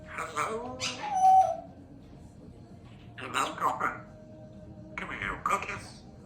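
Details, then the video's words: Pet African grey parrot, female, practising words: three bursts of mimicked speech-like chatter, the first with a brief clear whistled tone, separated by quiet pauses. "African Grey Parrot hard at work practising her words"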